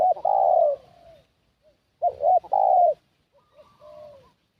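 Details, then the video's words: ['Decoy spotted dove for luring wild doves: a long loud coo, then a full phrase of two short coos and a drawn-out falling note, followed by fainter answering coos from another dove.'] "Suara Pikat Burung Tekukur"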